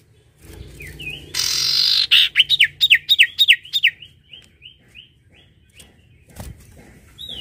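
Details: Spirited sirtu singing: after a loud hissy rush, bright looping whistles repeat rapidly, fading into softer evenly spaced chirps, with a thud near the end.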